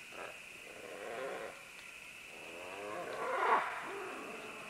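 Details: Green-winged macaws moving down vines in a group: a string of rasping, gravelly calls building to a louder harsh squawk near the end, with a continuous high hum.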